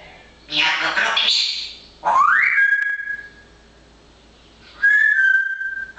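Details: Pet parrot chattering busily in fine weather: a short burst of speech-like babble, then a loud rising whistle levelling into a held tone, and a second held whistle after a pause.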